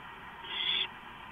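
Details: Early morning, 4:45 AM on 6 April 2015, owls in a cam housing with three birds present; one strong, hissing screech lasting about half a second over a low hum.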